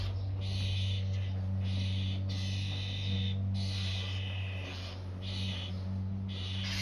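Starling nestlings give harsh, hissing rasps in bursts of about a second, repeated almost without pause, over a steady low hum.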